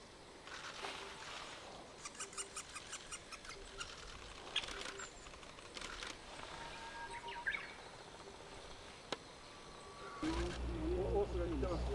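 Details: A White-backed Woodpecker raising young gives sharp, clipped notes in quick irregular bursts, about two a second; a rumble of wind or handling noise rises near the end.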